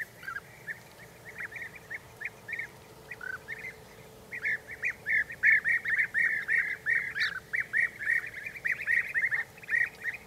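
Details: European bee-eaters calling: rolling, burry notes repeated in quick bursts, sparse at first, then a dense overlapping run of many calls from the middle onward, with a faint steady hum behind.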